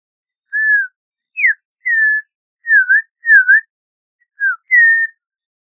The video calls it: Audubon's Oriole Song! Audubon's Oriole Call! - Turpial Amarillento Canto